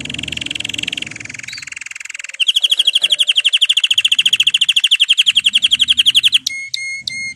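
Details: Aroused male canary in breeding condition: a soft, buzzy, high rolling phrase is followed by a loud, even trill of rapid clipped notes lasting about four seconds, then a few clear whistled notes close the passage.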